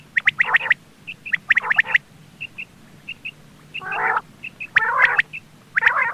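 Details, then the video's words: Quail calling in the morning: clusters of harsh, broadband bursts alternate with short, high, clipped notes repeated in pairs, with quiet gaps between the phrases. "Quail sounds , batair ki subbha keliye awaz,batair ki awaz ,morning awaz"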